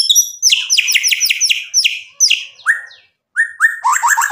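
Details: Energetic white-rumped shama song meant to goad a rival into singing back: a fast series of harsh descending slurred notes, then brief pauses broken by lower whistled slides and a final burst of rapid chatter.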